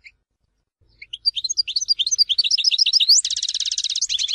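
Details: European goldfinch singing at Tizi Ouzou: silence, then a fast run of high, rising twittered notes building into a dense, buzzy rattling trill near the end.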